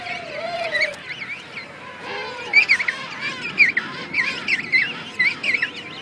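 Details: Juvenile king penguins (Aptenodytes patagonicus) give high, warbling whistles that waver up and down, several birds overlapping in quick bursts, with a lower quavering note at the start.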